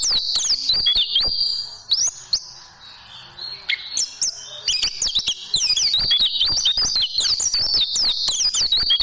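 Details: Training recording of oriental white-eye song for caged birds: bursts of rapid high twitters, a short lull with a few scattered chips, then a sustained run of sweeping warbled notes.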